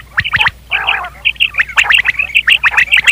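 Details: Quail calling, associated with hunting, 2023 recording: fast, irregular bursts of short, high, squeaky chirps, with a brief harsh gargling burst near the start, over a low steady hum.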